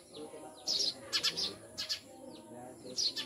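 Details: Pet Eurasian tree sparrows giving a run of sharp, high chirps, some in quick pairs, separated by brief pauses, over a low background hum.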